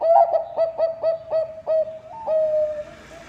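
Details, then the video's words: Singing Bangkok-type zebra dove, offered as a lure to set other birds singing: a rapid string of about eight bright coos, a brief higher note, then one long level note that slowly dies away. "Perkutut bangkok gacor suara cocok untuk pancingan"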